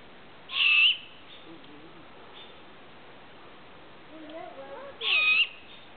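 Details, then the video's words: Owl calling near a campsite: two short, harsh, high screeches about four and a half seconds apart, with faint murmuring in between. "There's an owl in my campsite!"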